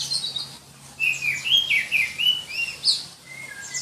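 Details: Oriental magpie-robin of the black-breasted form from Berau, East Kalimantan, known for a shrill, densely delivered song; rapid sequence of clear whistled notes sliding up and down with high squeaky inserts, steady low hum beneath.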